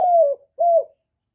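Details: Spotted dove (cu gáy) recorded without background noise: two short, low, hollow coos, each slightly falling at the end, separated by a brief gap, with nothing else audible.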